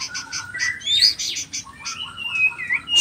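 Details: Singing white-rumped shama of the Nias spotted type, high bright notes: rapid buzzy chips alternating with thin whistled slurs and a few soft lower tones, delivered in a busy unbroken stream.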